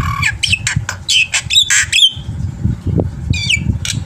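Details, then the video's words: Black-winged myna in full song, used to lure birds into calling: loud harsh squawks and rising whistled notes in quick succession, a short pause, then a few more raspy notes over a low background hum. "suara masteran burung jalak putih gacor full isian AMPUH untuk memancing bunyi"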